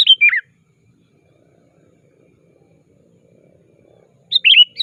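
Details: Sooty-headed bulbul calling a rival, used as a lure for trapping birds: two short bursts of bright descending whistled notes, one at the start and one at the end, with near silence between.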